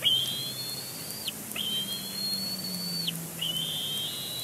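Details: Young bald eagle squealing at its father at the nest, Big Bear Lake, April 27, 2022, grabbing his foot, perhaps expecting food. Sustained thin whistles, slightly rising then falling abruptly, about one per second and a half, with a faint low hum.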